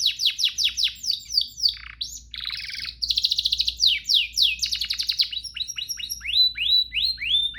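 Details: Canary master training song: fast chains of high falling whistles broken by a low harsh buzzy roll and a dry mechanical trill, then more sweeping notes repeated at a brisk rhythm.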